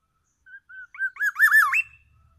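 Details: Black-naped oriole from Aceh, Sumatra, giving a shama-style phrase: two short soft whistles, then a louder undulating whistled run that rises at the end, all within about a second and a half.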